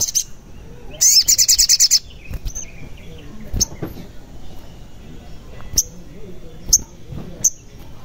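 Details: Sogon, played as a lure to prompt lazy or silent caged birds to sing and to draw birds closer: a one-second burst of rapid, buzzy, high-pitched repeated notes, followed by scattered sharp, thin chirps.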